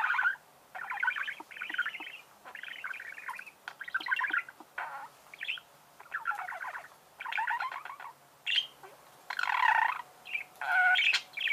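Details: Budgerigar chirping in near-continuous warbling chatter, buzzy pulsed phrases tumbling one after another with short breaks and occasional higher squeaks and clicks.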